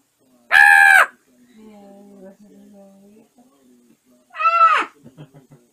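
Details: Caged pet African grey parrot babbling at bedtime while settling down for the night, indoors beside the cage: two loud, harmonic, nasal calls, each about half a second, with soft low murmuring between them.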